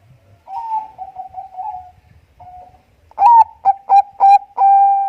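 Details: Energetic Bangkok-type zebra dove song, used to prompt other doves: a soft rolling series of purring coos, a pause, then loud clipped notes, three short coos and a long sustained final note.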